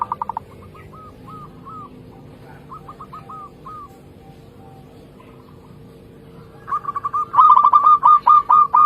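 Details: Zebra dove of local stock: soft, faint rolled coo phrases at first over a constant low hum, then a loud, rapid series of stuttering coos near the end.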